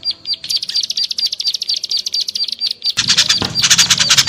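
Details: Small bird chirps used as a lure to bring down shy small birds. A steady string of bright, high chirps repeats about twice a second, then a louder, denser burst of chatter takes over.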